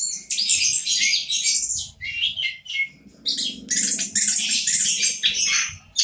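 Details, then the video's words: Orange-headed thrush, local type, singing as a lure for birds that will not sing. Bursts of high, scratchy twittering and chattering phrases come in runs broken by brief gaps, with a soft low hum beneath. "Anis kembang lokal, pancingan ampuh 100% untuk burung macet"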